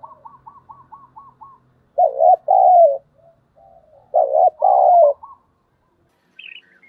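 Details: Calling decoy spotted dove: a fast series of short clipped notes, then two full two-part coos, with a brief higher note near the end.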